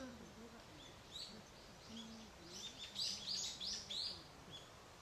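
A Dark-sided Flycatcher gives thin, very high, short call notes in a quick irregular string, several a second, over a low background hum.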